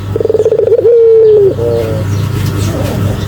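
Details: A Barbary dove calls vigorously in a recording meant for bird training and luring: a quick pulsing roll flows into one smooth, slightly falling coo, then fainter notes fade into a low hum.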